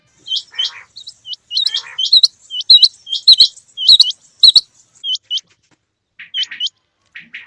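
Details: Male and female quail give high, sharp upslurred chirps, often doubled and in quick runs, over sharp clicking taps and a soft patter of rain.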